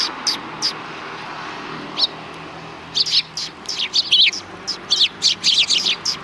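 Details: Sparrows on the road in front of a Tenmangu shrine, recorded December 13, 2019: a few isolated sharp chirps at first, then a dense lively run of overlapping high twitters and chirps from several birds.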